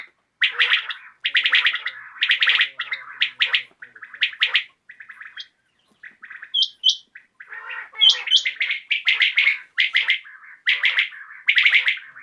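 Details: [['Common quail heard in the evening giving repeated three-note clicky phrases, about one per second, with a few high thin notes and softer fragments in the middle of the run.']]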